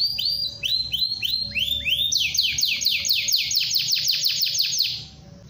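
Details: A canary sings a long rolling phrase intended to get other canaries singing: a run of repeated rising-then-falling whistled notes speeding into a rapid series of sweeps before stopping, with a faint low hum behind.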